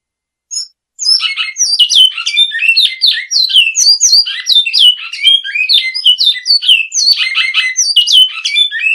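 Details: Great-billed seed finch singing in the classic song style: after a short pause, a fast, continuous run of rich whistled and warbled notes, many slurred downward, tumbling along without a break.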